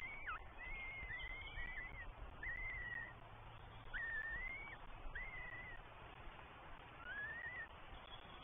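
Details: Three Northern goshawk chicks at a nest in the New Forest, England, on 20 May 2023, begging while a parent feeds them, caught by a live nest camera: drawn-out, thin whistled calls, level then slightly rising, repeated every second or so over steady background hiss.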